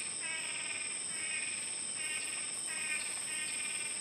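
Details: Two male blue-backed manakins (Chiroxiphia pareola) in a courtship dance display for a female: buzzy, nasal calls in quick bursts about every three-quarters of a second, over a steady high insect drone.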